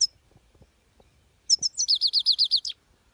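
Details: European goldfinch singing: a few sharp high chirps followed by a rapid, evenly repeated series of descending twittered notes, about four per second, with faint background rustling.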